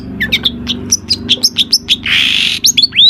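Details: Long-tailed shrike singing a busy song of borrowed phrases, meant to draw other shrikes into singing: quick varied chirps and whistles, a half-second harsh buzzy rasp, then rising squeaky whistles.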